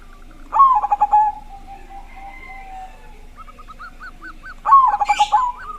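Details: Zebra dove with a big, loud voice, used as a lure so other doves start singing: two rich cooing phrases, each a quick stutter of notes ending in a drawn-out coo, separated by soft short coos and a run of clipped notes.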